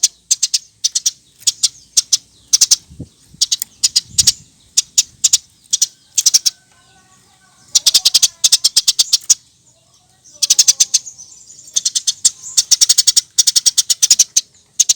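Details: Eurasian tree sparrow in energetic chirping song, used to tutor other birds: long irregular strings of high, sharp chirps with a pause midway, two soft low thumps, and faint thin whistles during the quieter stretch.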